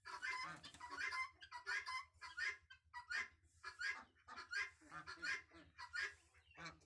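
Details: Naughty goose chicks calling: a busy run of short, harsh, repeated notes, roughly one every second or less, some overlapping, over a steady low hum.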